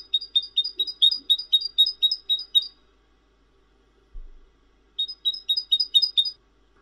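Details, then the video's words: Cinereous tit (glatik batu) delivering a fast run of about a dozen paired high, ringing notes, pausing with a faint thump, then repeating a shorter series of the same bright doubled notes. "Suara Glatik Wingko Merdu dan Bening"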